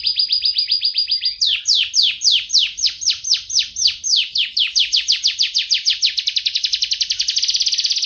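A young canary practising song: a rapid trill, then a long run of quick downslurred notes that speed up into a dense, buzzy high roll.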